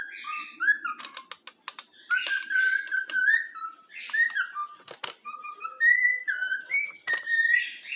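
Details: A pet yellow-cheeked cockatiel youngster, taught to whistle the Flamengo anthem, gives melodic whistled notes, interrupted by sharp clicking and tapping sounds throughout.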